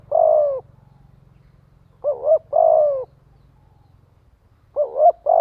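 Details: Spotted dove cooing as a decoy to gather a flock. A long falling coo is followed by paired short-and-long coos, separated by pauses, over a faint low droning hum.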